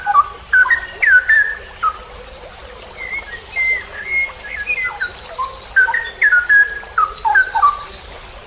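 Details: Cucak rowo, the straw-headed bulbul, singing long ropel panjang phrases for songbird training: a continuous run of fluty, bubbling whistled notes that twist up and down, over faint high-pitched trilling from other birds.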